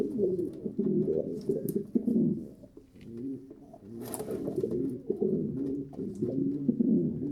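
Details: Low, continuous murmuring pigeon coos overlapping one another, with a soft rustle or flutter near the fourth second.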